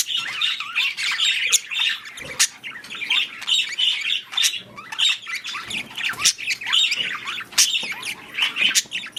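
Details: Budgerigars in breeding season keep up a lively, uneven chatter of repeated bright chirps and short squawks, rising and falling in bursts every second or so.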